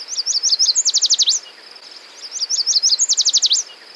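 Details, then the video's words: Yellow warbler, often heard in marshy areas, sings its 'sweet sweet sweet I'm so sweet' song twice: high, bright chipping notes speeding into fast sweeping slurred notes, each phrase about a second and a half. "the yellow warbler can often be heard in Marshy areas and they sound like they're saying sweet sweet sweet I'm so sweet"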